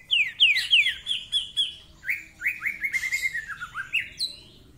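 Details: Greater green leafbird, a vigorous singer used as a tutor recording, gives quick descending whistled slurs in rapid runs, then a string of short rising and falling notes, with a brief buzzy rattle near the end.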